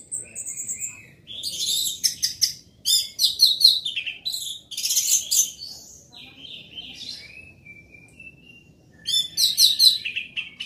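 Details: Captive orange-headed thrush giving a loud, varied song of quick high trills, sharp repeated notes and slurred whistles in bursts, with a quieter run of soft thin warbles between the louder passages.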